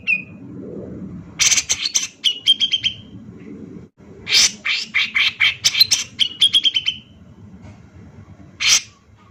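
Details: Male Grey-cheeked Bulbul in full, agitated song, used as a lure to provoke other birds into singing: two dense bursts of sharp, rapid chattering and ringing notes, each lasting about two seconds, separated by a pause, then one short final note.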